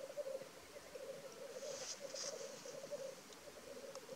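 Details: Black grouse at a lek in North Wales on 12 May 2023: a steady, bubbling, dove-like rookooing chorus runs throughout, with brief hissing sneezes about two seconds in.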